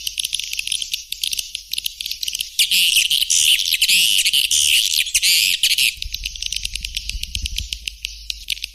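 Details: White-nest swiftlet (walet putih) calls: dense, high-pitched chattering twitters in rapid bursts that swell into a loud continuous trilling stretch midway, then break into quick clicky chirps, with a faint low hum beneath.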